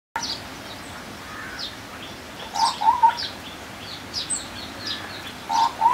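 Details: Sri Lanka scimitar babbler (Pomatorhinus melanurus), a bird endemic to Sri Lanka, calling. It gives short, low, fluty notes in tight bursts of about three, heard twice. Faint higher chirps from other birds sound in the background.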